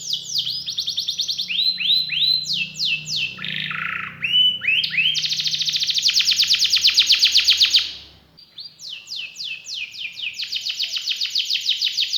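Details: Canary singing in gacor style, with cengkok turns and lavish fills: mixed falling sweeps and a low-dipping buzz, a long fast trill, a short pause, then more slurred whistles and trills, over a faint low hum.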